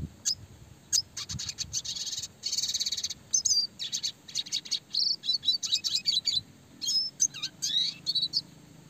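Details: Red siskin song used to train small songbirds: dense, fast high twittering with rapid rolls, buzzy trills and sharp slurred whistles running almost continuously, clear and loud throughout.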